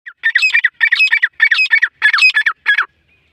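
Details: Black francolin, known locally as kala teetar, calling: five rapid harsh phrases of grating, squawky notes, each about half a second long, repeated with short gaps over three seconds.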